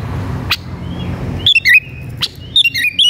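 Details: Highly excited Oriental magpie-robin looking for a rival to fight gives short clusters of fluty whistles with quick up-and-down slurs, twice in three seconds, separated by quiet pauses with faint low hum.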